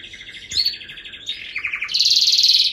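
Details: A canary sings a varied string of fast trills, moving from a mid-pitched rattle to a lower rolling phrase, then a bright high trill that grows louder toward the end.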